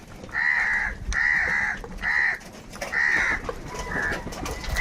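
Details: Crows squabbling over food, angry: four hoarse, nasal caws of about half a second each, evenly spaced roughly one per second, with a faint fifth call and low rumbling noise beneath.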